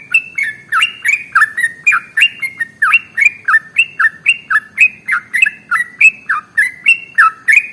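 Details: Sooty-headed bulbul, locally trucukan, singing an extended rapid ropel phrase intended to trigger other birds to sing; clear bubbly whistled notes come about three per second, each falling in pitch, forming an even, unbroken run with little background sound.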